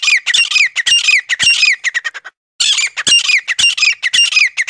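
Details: Forest quail lure call used to attract wild quail: loud harsh squawking chirps with sweeping high notes, given in rapid irregular bursts with one short gap midway.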